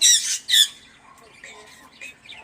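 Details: A myna, speaking, gives two loud, hoarse, speech-like bursts like "hello" and "good morning" half a second apart, then softer chattering and squeaky notes in a small room.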